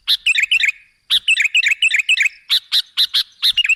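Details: Sooty-headed bulbul heard as a lure to pull in other birds: dense, lively chatter of quick bubbly notes, brief pause, then more rapid clipped notes.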